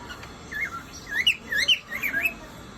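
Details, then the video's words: Male cockatiel whistling: a short series of wavering, warbled whistles rising and falling, some with sharper upward flicks, over a steady background hiss. "Cocktail bird Male whistling"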